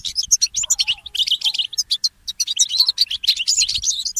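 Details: Goldfinch hybrid mule singing at dawn: fast, lively twittering of bright chirps and short warbled trills running without pause.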